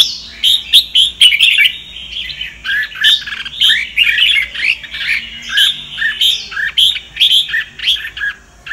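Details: Red-whiskered bulbul of the Sông Kon type, sung as a voice-training model: continuous cheerful warbling of rapid whistled notes, rising and dipping in regular short phrases throughout.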